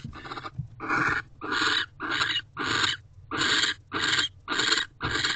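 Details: Barn owl in a nest box at 9:11 pm on 18 December 2023, male returning to mate and guard the door; regular short rasping hisses, about nine in five seconds.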